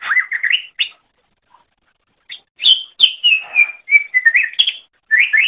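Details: Greater green leafbird singing for use as a master recording to teach other birds: rising whistled slurs, then a long string of clear sliding whistles and chips after a pause of about a second.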